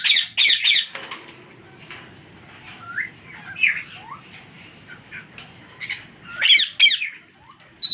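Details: Parakeet chicks begging for more food while their father tries to feed each baby equally; loud harsh squawk bursts open and close the passage, with softer chirps and rustling between.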